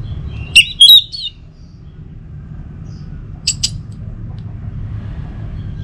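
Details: Orange-headed thrush (Geokichla citrina) gives a quick burst of bright, varied whistles, then two sharp high notes a few seconds later, over a steady low hum; used as a morning lure to get a kept thrush singing.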